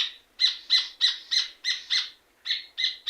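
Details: Short burst of red ovenbird song, with loud, piercing notes repeated rapidly at more than three per second, a brief pause, then the sharp notes resume.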